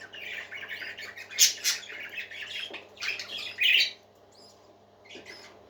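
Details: Parakeets singing together in a small room: dense warbling chatter with rough squawks peaking near the start and again near the end, then a quieter fade with scattered chirps over a faint low hum.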